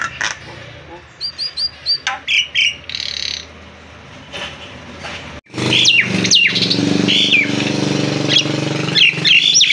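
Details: Nias hill myna singing, a chatter of short whistled notes and sharp squawks, quiet at first, then louder varied whistles and harsh calls over a steady background hum.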